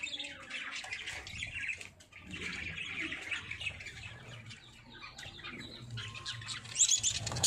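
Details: Singing parrots in Pakistan give busy, irregular high chirps and scratchy twitters throughout, dipping briefly near the two-second mark. A constant low droning hum is heard beneath the birds.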